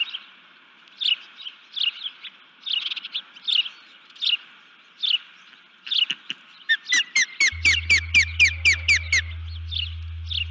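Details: On the nest before dawn on 1 June 2019, a nest camera catches a female osprey giving alert calls after being disturbed. Uneven high chirps lead into a fast, evenly spaced burst of about a dozen piercing rising notes, with a low electrical hum.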